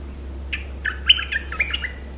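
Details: Streak-eared bulbul singing a short bubbly phrase of about seven quick liquid notes that jump up and down over roughly one and a half seconds, with a steady low hum beneath.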